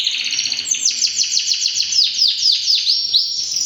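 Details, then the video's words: Three-year-old white male canary singing a fast, rhythmic trill of high, sweeping notes repeated about twice a second, each phrase dropping in pitch, loud and clear with no other sounds. "beautiful male canary singing"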